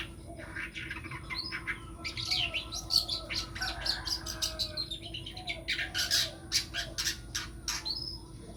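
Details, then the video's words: Long-tailed shrike tipped as a future champion songbird, pouring out a dense run of grating, chirpy notes and harsh buzzy fragments, fairly continuous, against a faint steady mechanical hum. "calon cendet juara"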